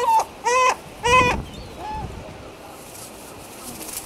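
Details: Herring gull at a nesting colony, one of a pair raising chicks on the nest, giving three loud, nasal, harmonic calls in quick succession, then a softer fourth; faint background murmur throughout.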